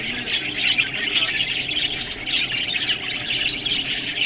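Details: Budgerigars eating green food, giving a continuous busy chatter of high squawks and warbled chirps that overlap without pause, steady in loudness throughout.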